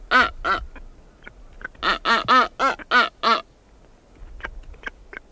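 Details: Recorded close up, a female blue-footed booby at her nest site gives two loud honks, then a fast burst of six harsh, buzzy quacking calls, followed by faint clicks and soft ticking sounds.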